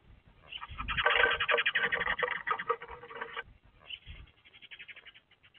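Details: Male Eurasian tree sparrow arriving at a nest box perch, calling noisily beside his mate, February 18, 2024; rapid harsh chirps run together at about four per second in a long burst, a brief pause, then a shorter burst.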